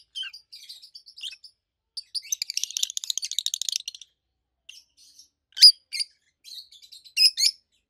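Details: Rosy-faced lovebirds, an adult captive pair, with soft high twitters building to a fast buzzy chatter, followed by a few loud sharp shrieks near the end.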